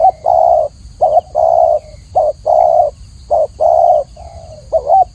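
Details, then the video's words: Spotted dove cooing in a fast series, about 54 phrases a minute: short wavering notes and longer steady coos alternating, ending with a quieter coo and a double note. "masteran burung tekukur atau spotted dove suara jernih"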